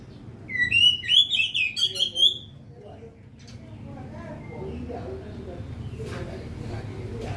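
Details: Oriental magpie-robin giving a quick burst of bright, varied whistled notes for under two seconds, followed by a person talking quietly in the room.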